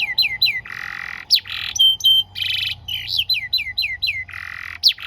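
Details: Canary singing with buzzy harsh rolls alternating with falling whistled chirps and short flat tones, in a varied stop-start pattern, played to teach young canaries.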